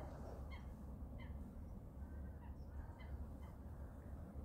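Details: A gadwall at Trilbardou (77), France, on 4 January 2021 gives short, nasal duck notes about every half second to second, over a steady low rumble of wind or water.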